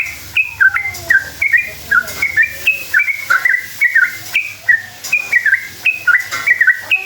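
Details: Rapid 'ropel' song of a sooty-headed bulbul, played as a lure to make other bulbuls answer agitatedly: continuous series of bright whistled phrases with downward slurs, evenly paced throughout.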